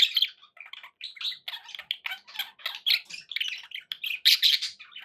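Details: Several pet budgies warble continuously indoors, a dense stream of rapid chirps, squawks and scratchy twitters with no pause.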